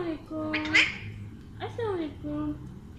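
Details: Alexandrine parakeet, a pet parrot, talking indoors: a run of voice-like syllables with gliding harmonic tones, some rising and some falling, plus a brief brighter squeak near the start, over a low room hum.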